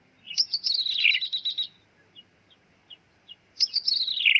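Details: Lure call of the bar-winged prinia for trapping, in the ciblek meong style: two rapid buzzy high bursts that drop in pitch at the close, with faint short chips between them.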